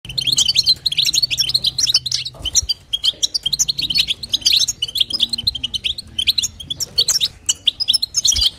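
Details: Female European goldfinch calling to stimulate the male, in batbata and sastasa chatter: dense high twittering of quick tinkling chirps in long bursts, with brief pauses near the middle and a faint low hum beneath.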